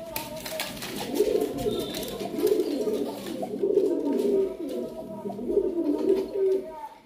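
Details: Pigeons cooing indoors: low, rolling, warbled coos repeated in bursts about once a second, with faint background voices and room noise.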